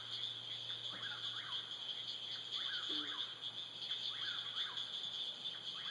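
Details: At dusk, an eastern whip-poor-will repeats its rolling three-part whistle over a dense, high trilling chorus of frogs.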